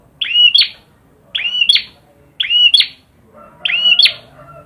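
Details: Prinia (perjak) singing: four similar phrases about one second apart, each a rasping buzz swooping into curved whistles and a crisp high tick, with faint low background hum.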